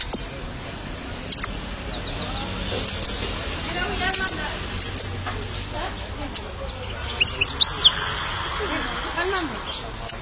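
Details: Himalayan goldfinch uttering sparse, thin, high chirps, single and paired notes spaced a second or two apart, with a brief twittering cluster near the end, over a low background hum.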